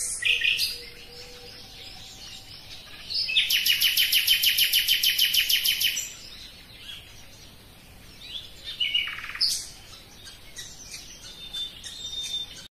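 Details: Common nightingale in full song: opening chirps, a long fast rattle of loud repeated notes lasting nearly three seconds, then a sweeping downslurred whistle and a string of quicker clicking notes.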